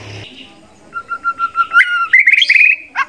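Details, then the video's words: White-rumped shama from a contest bird's tutor song rich in learned fill-ins: a steady row of pure whistled notes on one pitch, then a jump to a brighter warbled trill, over a low background hiss. "MASTERAN MURAI BATU SI QOLBY LOMBA ISIAN SEKEBUN"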